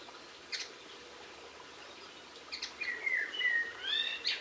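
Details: Linnet song from 22 March 2016: a few isolated high chirps, then a series of drawn-out sliding whistles, some falling, some rising, ending in a sharp twitter, over light background noise.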